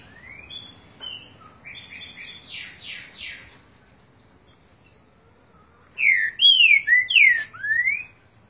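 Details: Green-winged saltator singing: a soft run of varied chirps and short buzzy notes for three seconds, a quiet gap, then a loud phrase of five or six clear, slurred whistles rising and falling, ending with a downward sweep.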